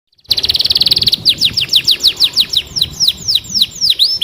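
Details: Canary singing: a fast buzzy trill of rapid notes, then a series of descending whistled sweeps repeated about three per second, bright and high.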